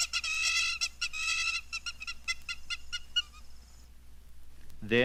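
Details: Hamerkop call, given first by a single bird and then by several in chorus: rapid strings of shrill, nasal yipping notes, bursts then slower spaced yips, with a short rising squeal at the end.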